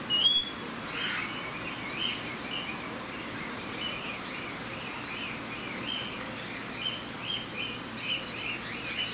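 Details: At a wild bird forest in Saitama, Japan, on 31 March 2018, an Australian king parrot gives one sharp whistle, then a long run of short, rasping chirps repeated steadily against soft environmental noise.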